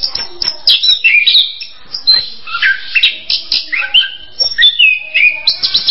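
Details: Varied song of an orange-headed thrush, quick descending whistled slurs and twittering notes strung together, with several bright high phrases ending on a falling whistle.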